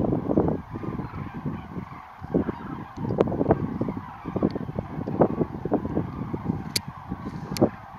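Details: Common cranes rising from Lac du Der at dawn, 19 November 2016. A large gathering gives dense, overlapping low trumpeting and honking calls, with a constant rumble of wind beneath.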